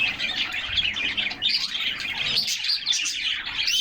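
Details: Caged canaries singing together during summer, recorded from a fixed camera placed in the cage; crowded high-pitched twittering and rapid trills, with whistled slides rising through the overlapping voices.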